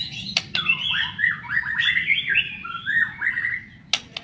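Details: Lure recording of a white-rumped shama to get other shamas singing: a continuous chain of rich, rising and falling whistled phrases, broken by sharp clicks at the start and end.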